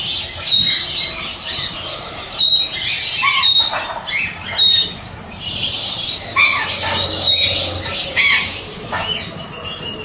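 A red factor canary sings in high, rapid bursts of trills and brief clear whistles, broken by short pauses, with some fluttering and rustling mixed in.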